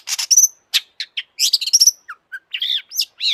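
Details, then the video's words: Long-tailed shrike, sung to excite other shrikes into calling: varied mix of scratchy chatter, bright high whistles and low short notes in quick uneven succession. "kicau burung cendet gacor FULL EMOSI,, untuk PANCINGAN CENDET AGAR BUNYI jadikan BURUNG PENTET GACOR"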